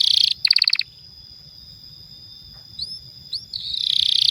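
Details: Canary singing as a stimulus and tutor song for young or silent canaries: a brief high rattling trill, a steady ringing tone with two upslurred chips, then a dense buzzing roll returning at the end.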